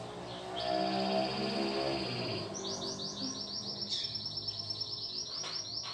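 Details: Caged domestic canary, newly brought home, singing a sustained high whistle that breaks into a fast rolling trill of repeated swept notes, over low humming background sound.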